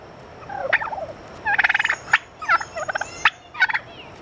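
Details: Turkeys kept at the San Francisco Zoo give a falling yelp, then a fast rattling gobble and several short sharp clucks, with a faint hum throughout.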